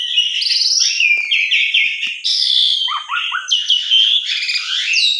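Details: Asian pied starling singing a stimulating lure song: fluty drawn-out whistles and rapid trilled phrases, a short series of falling chirps midway, then bright wavering whistles, nonstop throughout.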